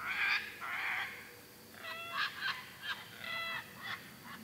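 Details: A pair of sulphur-crested cockatoos at sunset one evening at a farm near Darwin, Australia, give harsh, raspy screeches: two long ones first, then a run of shorter grating squawks about every half second.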